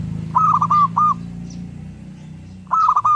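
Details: Zebra dove (perkutut) in vigorous song: two short phrases of clipped, mellow cooing notes, the first of four notes and the second cut off at the end, over a low steady hum with faint high chirps.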